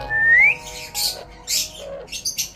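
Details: A pet rose-ringed parakeet, eating guava while talking, gives a clear, slightly rising whistle, then a few quick, harsh, breathy bursts like clipped mimicked words.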